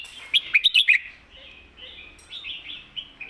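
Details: Red-whiskered bulbul bred for song contests, giving its thick-voiced master song: an opening run of loud, sharp staccato notes, then a lighter chain of bubbling, whistled phrases.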